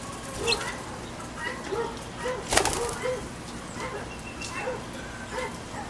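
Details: Guinea hen squawking at a backyard feeder in the rain: harsh, nasal notes repeated about every half second to second over steady rain patter, with one sharp knock midway.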